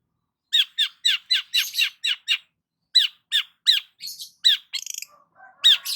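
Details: Long-tailed shrike singing while sunbathing in the morning, a rapid series of sharp downslurred chirps in quick succession, then a brief rattling trill and soft low notes.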